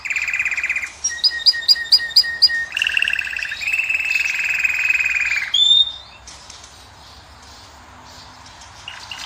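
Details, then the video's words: Goldfinch of the Moroccan kind singing to a female: evenly pulsed mid-pitched trills alternating with a row of sharp high notes repeated about twice a second, then a brief whistle and near-silence. "أجمل صوت طائر الحسون والكناري تخلي الأنثى تكسر عليه القفص"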